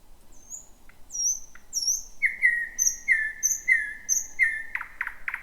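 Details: Thrush nightingale at a new night-time site in thick bushes, first found in 2026: high thin whistles giving way to long, steady whistled notes repeated in a row, finished by sharp clicks.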